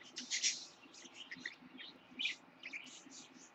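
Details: Baby lutino parakeet born in October 2015, kept as a pet indoors: soft, scattered high chirps and brief squeaky notes, faint and intermittent, with a low background hum.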